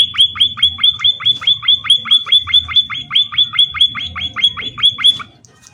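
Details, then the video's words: Munias (emprit/pipit) chirping in the wild: a fast, steady run of high, downslurred chips, about five per second, with a faint low rumble behind. "Suara burung emprit / Pipit gacor"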